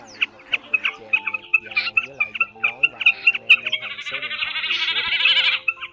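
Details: Common snipe, a large fan-tailed bird, in a lure recording used for night net trapping during the March migration season: sharp clipped notes repeated about twice a second, then a sustained buzzy, vibrating burst, over steady low tonal hum.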